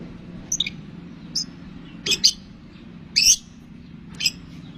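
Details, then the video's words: Long-tailed shrike singing, used as a lure to provoke other shrikes to sing: scattered short, high squeaky chirps and sharp notes spaced about a second apart over a low background hum. "bisa dicoba buat pancingan | cendet kicau istimewa | cendet gacor"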